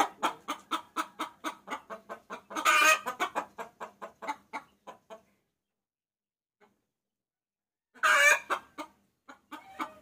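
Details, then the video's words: Lure sound of a hen calling a rooster: fast clucking series with one loud harsh squawk, then several seconds of near silence before another squawk and a few scattered clucks. "Suara Pikat Ayam Betina Memanggil Jantan"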